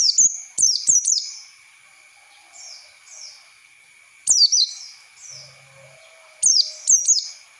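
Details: Oriental white-eye lure song used for training young birds to learn a wild style: bursts of high, sharp downslurred chirps come in clusters of three around the start, middle and end, with softer slurred notes between and a steady faint background tone.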